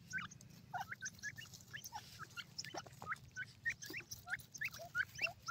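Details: Grey francolin giving a rapid series of thin, upward-sweeping squeaky notes, about three or four a second, sometimes overlapping as if several birds call, with low background rumble.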